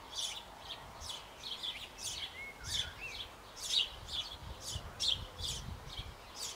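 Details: Sparrow nestlings in a Bavarian nest box on an old apple tree, shortly before fledging, while both parents feed them: harsh, buzzy chirps repeated about every second, with a few short whistled notes in between.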